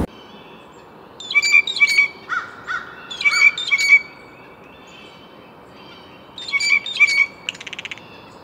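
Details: Blue jay calls in clustered runs: harsh, buzzy, ringing notes given two or three at a time, with short pauses, and a brief rattling burst at the end in an otherwise quiet setting.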